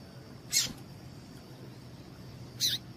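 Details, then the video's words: Female double-collared seedeater call, used by breeders to stimulate males to sing for tournaments: two brief, high, thin chips about two seconds apart, over faint steady background hum. "MELHOR PIADO DE FÊMEA DE PAPA CAPIM PARA DEIXAR SEU PAPA-CAPIM DOIDO PARA CANTAR LOGO!"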